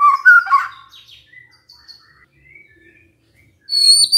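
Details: White-rumped shama song used as a lure to prompt other shamas to answer: a loud cluster of rich whistled notes opening, then faint scattered high whistles and a bright rising phrase at the end.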